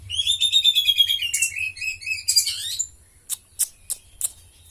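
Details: Caged white-rumped shama singing cililin-style fill: a fast rattled trill of repeated notes gently descending over two seconds, then twittering notes, ending with four sharp clicks about every third of a second.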